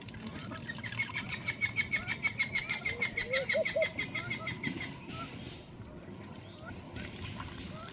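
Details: Ducks foraging and eating in a pond, species shown including Australian freckled duck, South Georgia pintail, Madagascar teal and Baer's pochard; rapid rhythmic dabbling clicks for about four seconds with a thin steady whistle above, then quieter pond noise.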